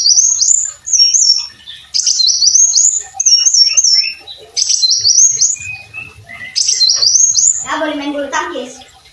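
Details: Brown-throated sunbird singing energetically, recorded as a tutor song for training other songbirds: high, bright phrases of stepped rising whistles repeated in bursts with short gaps, then a harsh, low buzzy rasp near the end.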